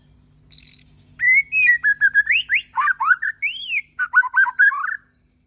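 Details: In the morning a white-rumped shama from Borneo sings: a high ringing note, then a lively run of varied whistles, a high arched whistle, and a final string of quick bubbling notes.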